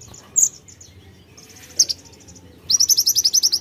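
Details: Active white-eye song in nembak style, filled with konin imitations: scattered single high chirps and soft twitters, then a fast, steady series of about ten sharp high notes closing the phrase.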